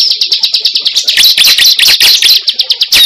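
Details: Cible used as a lure: quick strings of sharp, high, ticking chirps that merge into a denser twittering run midway through.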